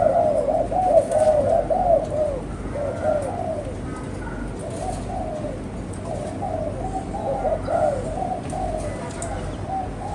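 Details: Spotted dove kept by its owner, cooing in rolling, wavy phrases repeated about every few seconds, louder at the start and softer midway, with light background rustle and a few faint clicks.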